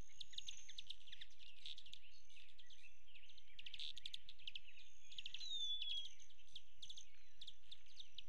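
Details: Male Broad-tailed Hummingbird flying between ports of a West Texas feeder, May 26, wingtips giving a thin, metallic, cricket-like trill in quick on-off bursts, sharp chips mixed in, over a low background rumble.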